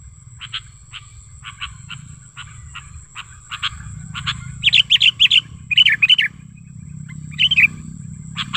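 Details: Lure call of a sooty-headed bulbul, natural recording for attracting bulbuls: a string of short clipped chips, then louder bubbly warbled bursts, over a low continuous rumble.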